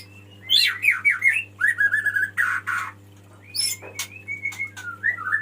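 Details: Male white-rumped shama singing to attract a female: fluttering whistles sliding up and down, buzzy bursts and short clear notes, over a constant low electrical hum.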